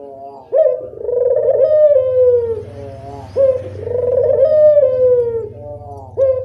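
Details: Barbary dove in full voice, played to stir silent doves into calling: two rolling coos about three seconds apart, each opening with a sharp clipped note, throbbing then gliding slightly downward.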